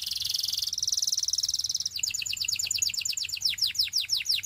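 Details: A canary holds a long, buzzy, high-pitched trill for nearly two seconds, then switches to a quick series of descending chip notes.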